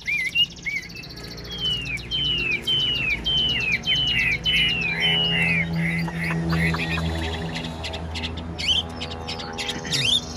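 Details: A 95% tamed captive Chinese hwamei with a fanned tail sings non-stop with a fine voice: loud, clear whistled notes swooping up and down, about one every half second, then quicker varied phrases over a low hum.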